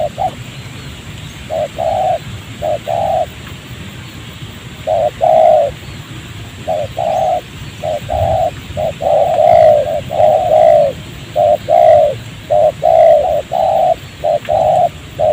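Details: Spotted dove cooing during trapping in a rubber plantation near a village, a wild bird answering a trained decoy, still calling after being caught by the leg; steady run of mellow mid-pitched coos in short-then-long pairs, repeated throughout.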